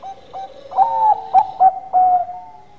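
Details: Zebra dove, Bangkok perkutut, singing actively: soft clipped notes build into a run of loud, ringing, slightly wavering coos, ending on a drawn-out level tone.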